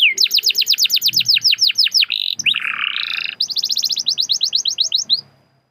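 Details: Lure song of a canary for encouraging other canaries to sing: rapid chains of bright descending whistles, a short rasping buzzy passage in the middle, then more quick repeated sweeps fading out.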